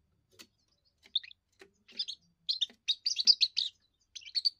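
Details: Young European goldfinch singing its first song, which warns rivals off its area and attracts females; scattered soft clicks build into a dense run of bright, jangling high twitters and trills.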